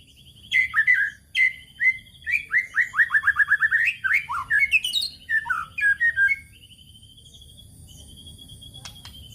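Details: White-rumped shama (murai batu) lure song meant to provoke other birds, with its rattling 'kretekan' phrase: a rapid run of about a dozen descending whistled notes, then rising slurs and a long thin whistle, steady high background tone.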